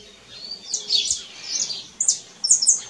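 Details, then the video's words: Canary singing in nature, with clear high twittering trills and swept notes, then two loud, bright chirp bursts near the end. "CANÁRIO CANTADO NA NATUREZA"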